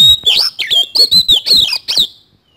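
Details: Energetic oriental magpie-robin song with kasan fill: a fast string of loud, sliding whistles and harsh chattering notes, about ten bursts in two seconds, ending abruptly.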